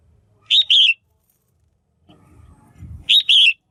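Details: Female red-whiskered bulbul kept in a cage, giving a call meant to excite males or to pair. Two identical double-noted chirps, each a quick sharp note then a falling slur, about two and a half seconds apart. A low rumbling noise sounds between them.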